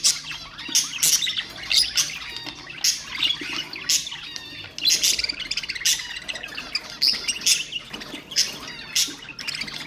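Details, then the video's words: Pet budgerigars in lively chatter intended to encourage other birds: continuous high, rasping warble broken by sharp squawks and chirps, with loud bursts every second or so. "اقوى أصوات طيور البادجي طيور الزينة أصوات تحفيز الطيور"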